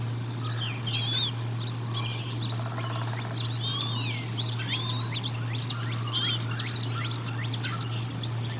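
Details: Bald eagles at the Decorah North nest during a feeding on 1 April 2022: a dense run of high, thin chirps and downward-slurred whistles, several overlapping, over a steady low hum.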